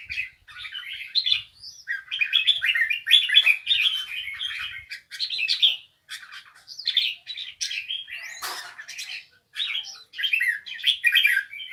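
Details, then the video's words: A bulbul delivers a sustained, rambling song of rapid chirps and warbled notes, phrases following one another with only brief gaps, plus one sharp click midway. "Bổi Hót nghe HAY"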